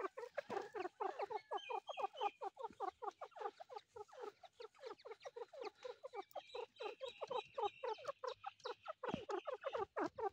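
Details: Chick of the grey partridge giving rapid, steady strings of short falling notes, many per second, with fainter higher whistled notes running above in the second half.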